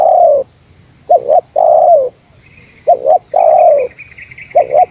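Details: Meratus-type spotted dove competing with a rival: low drawn coos each preceded by a clipped double note, with a faint thin higher buzzing tone running in the background during the later phrases.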